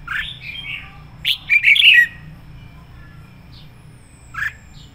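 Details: Fired-up decoy red-whiskered bulbul delivering 'sổ bọng' style song for training or luring bulbuls. A slurred, whistled opening gives way to a rapid chattering burst of liquid notes, then a brief single note near the end.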